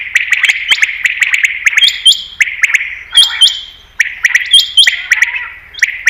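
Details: Common quail lure call for hunting. Rapid clicking chatter over a buzzy band, later joined by short high flat whistles, with phrases repeated less than once a second.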